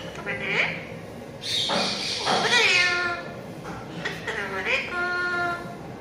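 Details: Talking pet parrot repeating learned words: several nasal, buzzy syllables with bending pitch and rich overtones, one harsher noisy burst in the middle, voiced in quick succession indoors.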